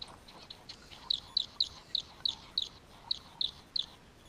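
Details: A male great bowerbird displaying to a female at his bower gives a courtship run of about nine short, high, scratchy chirps, evenly spaced about three per second, over faint background hiss.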